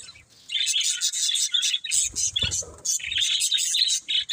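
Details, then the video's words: Budgies chirp in quick, evenly spaced bursts of bright, high warbling notes after a quiet start, with a soft low thud midway. "Beautiful Budgies Chirping Sounds"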